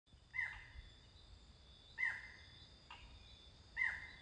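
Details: A Barred Forest-Falcon (Micrastur ruficollis) in Costa Rica in 2021 gives three sharp, barking notes that drop in pitch, each nearly two seconds apart, over a steady high insect drone.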